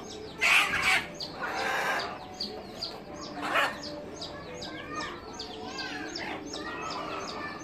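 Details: Light Sussex hens giving several loud, harsh squawking calls in the first four seconds, set against a constant background of many quick, high chirps from other birds throughout.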